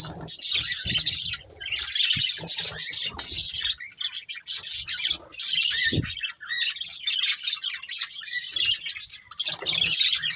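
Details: Budgerigars living as a family give repeated bursts of high, rasping warbling chatter and sharp chirps, separated by brief lulls, with a few soft low bumps.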